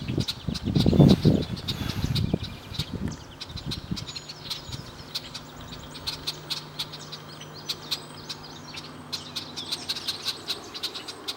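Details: Male and female Red-winged Blackbirds sitting around at Chippewa Nature Center, giving sharp, short chip notes repeated irregularly, after a loud low rumble of handling or wind noise over the first three seconds.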